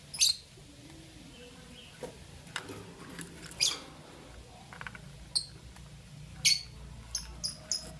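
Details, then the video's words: Morning calls of albino and Euwing green opaline lovebirds. Scattered thin, high chirps are spaced irregularly over eight seconds, with faint rustling between them. "Lovebird Chirping Sound"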